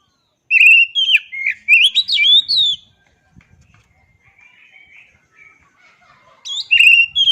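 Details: Two loud bursts of oriental magpie-robin song, each made of sweeping whistles and rapid slurred notes, separated by a few seconds of quiet faint chatter.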